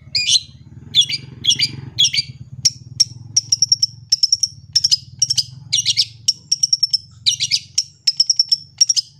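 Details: Long-tailed shrike song, clear and full of varied phrases, meant as a tutor for young shrikes and to prompt birds to sing: harsh scratchy bursts alternating with thin high whistled notes, repeated rapidly, over a faint low hum.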